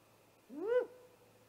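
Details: Great horned owl attacking a great gray owl at its nest, recorded by a live nest camera on 30 March 2018 after midnight: a single loud, rising, wailing cry with strong overtones, fading to a thin held tone.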